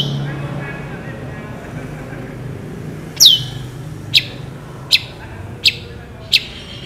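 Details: Long-tailed shrike in lively song, used as tutor recording for other shrikes: after a quiet start, one sharp falling whistle followed by four short clipped ticks spaced under a second apart, with a faint engine rumble behind.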